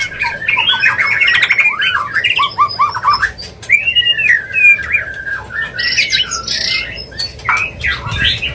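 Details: White-rumped shama mating call to bring a bird into breeding condition: rich fluting whistles and quick warbles, a long swooping whistle, harsh rasping bursts and sharp clicks, all loud and continuous.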